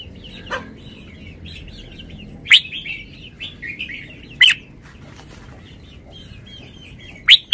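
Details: A caged red-whiskered bulbul sings. Loud, sharp, accented notes spaced about two seconds apart stand out over continuous soft, quick, twittering warbles.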